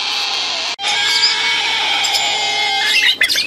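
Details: Three very hungry, very noisy hand-raised baby sulphur-crested cockatoos begging. There is a loud continuous harsh rasping drone with one sudden brief break, ending in broken squawks.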